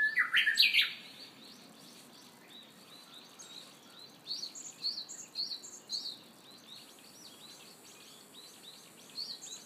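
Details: Japanese bush warbler singing in early summer in Hiroshima: a loud, stepped phrase of rising and falling notes opens the recording. A busy background of thin, high chirps and twitters from other small birds follows.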